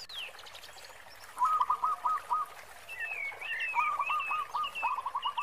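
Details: Local zebra dove with a big 'khong' voice, used to lure other doves into singing, heard against a steady hiss; two short runs of hollow stuttering coos, overlaid by a louder wavering whistle from another bird.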